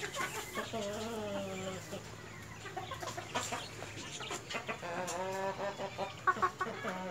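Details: White Leghorn chickens, hen and rooster: long drawn-out harmonic calls in the first four seconds, then a run of short wavering cackling notes and brief clucks, with a steady background hum.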